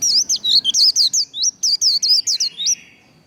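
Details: Líu đấu song of a white-eye, used for training singing: a dense burst of bright, high, bouncing whistled notes, each rising and falling, delivered about four per second before stopping abruptly.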